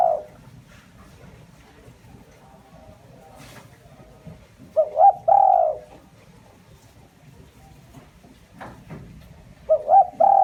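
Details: Spotted dove giving its lure call to attract wild birds, low gentle coos in phrases of two short notes and one longer note, heard near the start, middle and end, with scattered taps and clicks.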